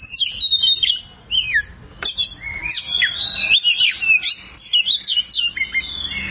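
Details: Oriental magpie-robin (kacer) tutor song, long-duration, used to train other birds. It strings together loud, clear whistled slurs rising and dropping in rapid succession, with a soft low hum behind.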